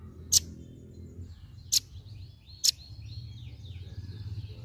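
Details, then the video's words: Velvet-fronted nuthatch giving a 'tembakan' (shot) style song, used as tutor material for training other birds: three sharp, very high clicking notes spaced about a second apart, then faint high thin wavering whistles over low background hum. "Suara Tembakan Rambatan Paruh Merah"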